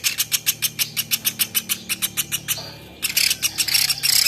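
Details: Songbird tutor recording of the velvet-fronted nuthatch, platuk beras: steady, evenly paced hard ticks, a short pause with a low sliding note, then a louder, harsher, rapid chattering burst.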